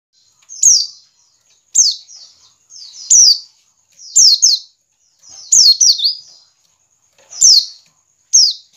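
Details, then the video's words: White-eye ngiriwik call, used as a lure so caged white-eyes quickly sing freely and constantly: thin, high, downslurred notes, single or doubled, spaced about one to one and a half seconds apart, each with a faint buzzy lead-in, against silence. "pancingan pleci ngiriwik agar cepat ngalas dan gacor"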